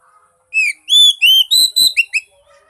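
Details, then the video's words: Used to coax a mute magpie-robin into singing, this phrase opens after half a second of quiet with clear downslurred whistles, then rising and level notes and a short raspy note, ending in two quick upswept whistles. "pancingan buat burung kacer bisu"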